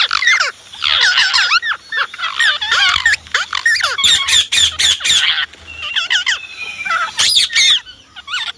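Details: Pet Indian ringneck parrot chattering at length, mixing wavering, bent syllables with bursts of loud rasping squawks in quick succession, then a few shrill calls toward the end.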